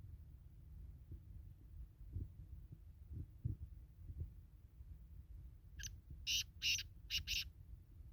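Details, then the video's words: Black francolin calling: a quick burst of about five harsh, grating broadband notes near the end, after several seconds of quiet low rumbling background noise. "kala teetar ki awaz"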